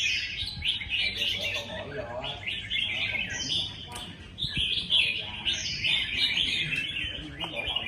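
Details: Competing red-whiskered bulbuls at a singing contest pour out lively warbling phrases that overlap continuously, quick rising and falling notes, with soft human voices in the background.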